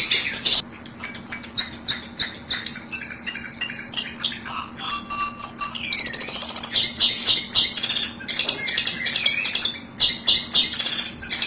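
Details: Harsh, fast long-tailed shrike chatter played to trap birds, mixing buzzy repeated notes with a few clear whistled tones and a downward-slurred squeal midway, over a faint steady hum.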